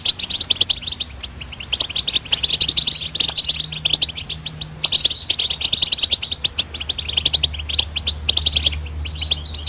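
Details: European goldfinch giving the twittering song style known as batbata: a dense, unbroken stream of fast, high, tinkling chirps and trills with slight pauses near two and six seconds, over a low steady hum.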